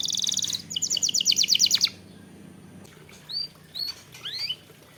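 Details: Canary lure song for prompting singing: a rapid pulsed roll of about two seconds, then a pause and a few sharp upward-curving whistled notes spaced about half a second apart.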